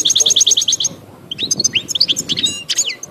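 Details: European goldfinch, a wild bird, in song alongside a canary: opens with a fast even run of about eight sharp repeated high notes, then a pause and varied rising whistles and tinkling twitters.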